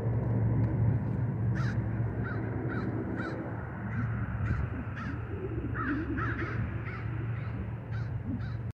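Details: Crows in nesting season, in a territorial dispute over food, give repeated harsh caws at irregular intervals, several in quick pairs. A loud, steady low rumble runs throughout.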